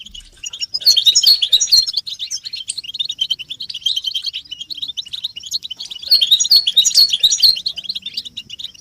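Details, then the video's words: European goldfinches in group twittering, with mating and readiness calls meant to stimulate caged males to sing; dense, overlapping high chirps and trills in loud bursts, peaking near one and seven seconds, separated by quieter twittering. "بتبتة الحسون تحفيز الحسون على التغريد والهيجان علاج صمت الحسون goldfinch stimulation"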